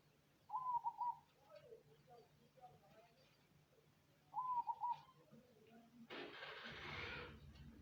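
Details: Cemani zebra dove singing two trilled, bouncing coo phrases nearly four seconds apart, followed by a loud rushing noise that swamps the last seconds.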